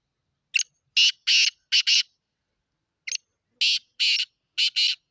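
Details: Black francolin in Sindh, Pakistan, giving a harsh, grating call: a short clipped note followed by several longer rasping notes, the phrase heard twice with a pause between, in an otherwise quiet background.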